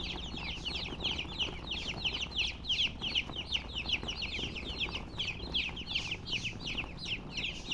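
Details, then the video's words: Chicken chicks chirp insistently in a crowded chorus, high sharp peeps tumbling downward roughly three a second, rising and falling in loudness throughout. "Witty MURGI Baby "Chicks Chirping" Sound"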